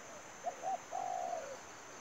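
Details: Spotted dove acting as trapping bait: a quick clipped note, a short double note, then a sustained mellow coo that trails downward. A thin steady whine sits behind it.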